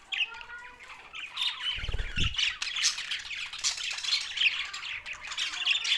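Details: Group of budgerigars, Australian parrots, Larkana, Sindh: steady high-pitched chatter of squawks and trills, interrupted around the middle by low rattling knocks.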